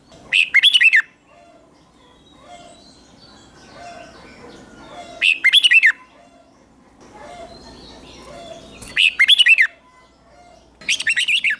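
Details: Red-whiskered bulbul in a morning song-training session for fighting-style song. Four short, loud, bubbling warbled bursts come roughly every three to four seconds, separated by quiet stretches with soft background chirps.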